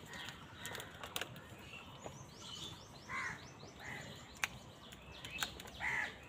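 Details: Crows fighting for food give short, harsh, nasal caws, three clear ones spaced about a second apart late in the recording, over steady background noise with faint high chirps and clicks.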